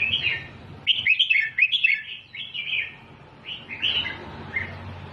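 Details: Red-whiskered bulbul singing in the repeated 'double' style meant for teaching chicks: quick chattering, warbling notes in tight clusters, then a few separate rich phrases after a short lull.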